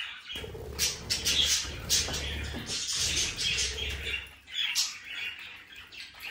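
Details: Budgerigar flock sound: busy warbling chirps and scratchy squeaks run together for several seconds, easing into a quieter gap before more chirps; low background hum.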